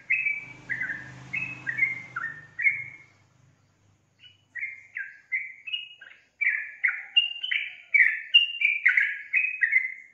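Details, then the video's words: Yellow-vented bulbul delivering two runs of bright, slurred chirping notes. The first run has a low humming noise under it, and the song resumes after a short pause, faster and denser. "SUARA BURUNG TRUCUKAN GACOR"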